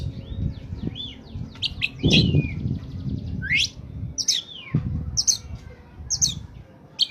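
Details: Oriental magpie-robin singing as a bird lure: sharp descending whistles and buzzy notes repeated every second or so over noticeable low rumbling and thumping background noise.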